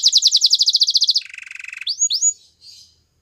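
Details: Belgian singing canary singing, said to attract other canaries: a rapid even series of high downslurred notes, then a buzzy lower rattle and two clear rising whistles before fading.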